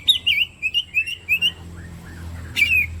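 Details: Oriental magpie-robin singing as bait for a captive-style kacer: a fast string of bright warbled whistles with wavering pitch, then a pause and one more sharp whistled phrase.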